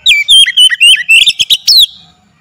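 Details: A rapid, varied phrase of bright whistles and slurred notes from an oriental magpie-robin, used as a lure to spur singing and agitation, ending in a short trailing tone.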